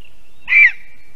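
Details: Single harsh, barking yelp from a female lesser spotted eagle newly returned from Africa to her spruce nest in Zemgale, Latvia, on an April 2022 evening, awaiting her mate; otherwise quiet.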